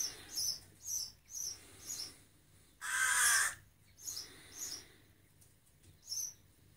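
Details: Baby rook asking to be fed: a series of short, high, pulsed notes about every 0.8 seconds, broken by a single loud, rasping caw lasting under a second near the middle.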